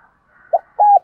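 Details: Fragment of a spotted dove's rival-luring call: a brief soft coo followed by a sustained level coo that dips at its end, over a faint higher background hum.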